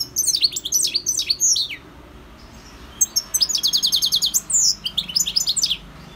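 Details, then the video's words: Singing goldfinch: two bursts of fast, high, tinkling twitter, the second containing a run of evenly repeated buzzy notes and sweeping whistles. "GOLDFINCH SINGING 1H Chant Chardonneret اسمع واستمتع صوت الحسون البري Jilguero Campero"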